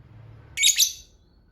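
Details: A lovebird gives one short, harsh, buzzy double burst of high-pitched sound lasting about half a second. The recording is meant as a lure to prompt other lovebirds to reply. Otherwise there is only faint low background hum.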